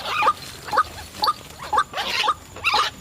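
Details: Lure recording of a white-breasted waterhen for attracting wild birds: about six raspy, grating notes, each with a bright accented end, repeated roughly twice a second.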